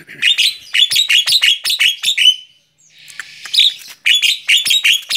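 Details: Javan myna, a tame bird on someone's hand, chattering in quick bright chirps, roughly five per second, broken by a short hissy pause before the lively chirping resumes.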